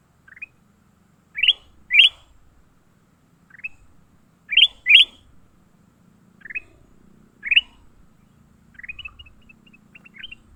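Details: Fighting leafbird, caught, giving repeated harsh upward-rising chirps, often in pairs, spaced a second or more apart over ten seconds, ending in a string of thin high notes.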